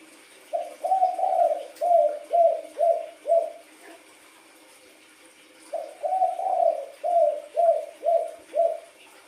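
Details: Spotted dove, wild-coloured, cooing in two bursts of about six low, husky notes each, roughly two per second, separated by a short pause; quiet hum underneath.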